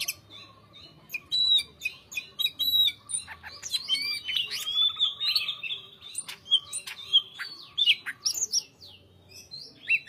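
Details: Greater green leafbird in full, continuous song: dense chattering and whistled notes tumbling over one another with short clicks and buzzy bits, phrases strung closely with few gaps over about ten seconds.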